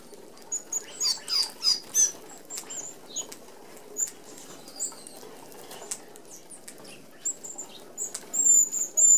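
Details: High, sharp seee notes from red-browed finches feeding together at an open aviary feeder in Australia, spaced out over fluttering wings and faint pattering, with a louder cluster of calls near the end.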